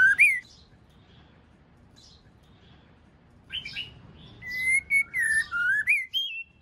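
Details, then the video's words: Caged white-rumped shama, a female calling to stimulate the male to sing; clear whistled phrases near the start, then after a pause a run of rising and falling pure whistles with higher harmonics, some notes sliding down. "chòe lửa mái hót kích trống kích nhạy.( mái trống kích)"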